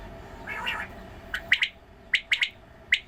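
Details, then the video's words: Quail being given water, calling in sharp triple notes. A soft muffled sound comes first, then two quick three-note phrases and a single clipped note. "Video of watering quail and sound of quails. بٹیرے کو پانی ڈالنے والی ویڈیو اور بٹیروں کی اواز"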